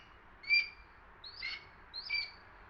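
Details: A juvenile Red-tailed Hawk, as the uploader believes, calls while dive-bombing a Downy Woodpecker north of Toronto, Canada, in September 2022, giving three short, high, squealing calls about a second apart over a quiet background.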